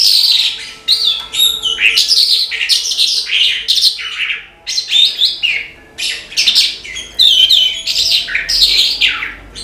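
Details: Lark singing energetically and without letup, a varied run of whistled slides, quick trills and scratchy chirps packed tightly together across the whole stretch.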